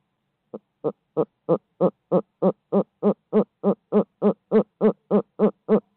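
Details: Midtown Tulsa barred owl delivering a long, steady series of about seventeen clipped hoots, three per second, starting soft and swelling louder, with very regular spacing and no other sounds.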